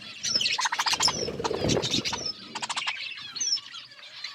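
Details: Budgerigars eating and chirping chatter in rapid bursts of sharp, scratchy chirps mixed with thin, high warbled notes, over soft rustling and a brief flurry of wingbeats.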